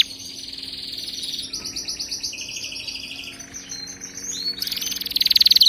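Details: Canary song played to train other canaries to sing: rapid high trills in shifting rolls, one pitch held then dropping, ending in a loud, very fast ringing trill that swells in volume.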